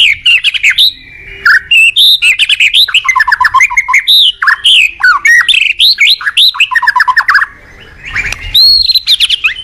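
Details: Morning song of a white-rumped shama, played as a lure for training cage birds: a loud, fast, highly varied stream of fluting whistles, slurred sweeps and sharp clicks, with a brief pause near the end.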